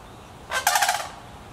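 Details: Sandhill crane family in Petoskey, Michigan: one crane gives a single loud, rolling, rattled call lasting about half a second, harsh and trumpet-like, against a quiet background.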